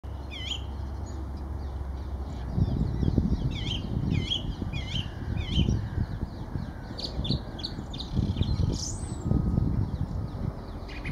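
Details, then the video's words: Song thrush singing in Kensington Gardens on 4 January 2019 in winter: short high phrases repeated several times, against a steady low rumble of background noise. "Song Thrush Singing"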